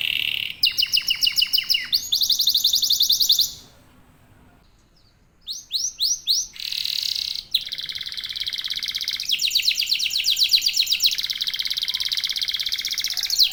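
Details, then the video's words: Local domestic canary singing varied phrases: buzzy trills, a short silence, a few swooping notes, then long rolling rapid trills in several tones. "KENARI LOKAL GACOR TOTAL, SEMUA IKUTAN BUNYI..PANCINGAN AMPUH BIKIN CEPAT GACOR"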